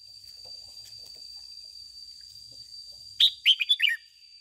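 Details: Red-whiskered bulbul, a caged lure bird, gives a single bright phrase of four or five rapid sharp whistled notes after a quiet stretch, with a faint steady high whine in the background.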